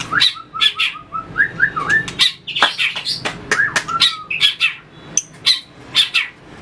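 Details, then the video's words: Competitive song of a white-rumped shama with tail-flicking display: a series of short rising whistles followed by varied fast notes and rapid sharp clicks, under low background noise. "luyện chòe lửa hót đấu,đập đuôi chạy cầu"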